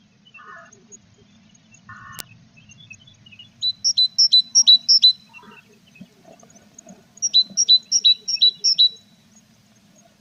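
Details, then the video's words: Tits at a nest box with chicks in April; two runs of sharp, high, evenly spaced chirps, about six in each, over faint background rustling. "Nichoir des mésanges du 21 avril"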